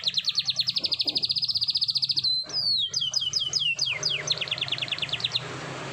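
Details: Canary in the morning singing a long roll: a rapid high trill of evenly repeated notes for two seconds, followed by a series of falling whistled swoops and a second quick trill, with low background hum.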